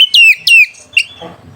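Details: Oriental magpie-robin song for provoking rivals and arousing mating: two loud, clear descending whistles, then a short softer third note.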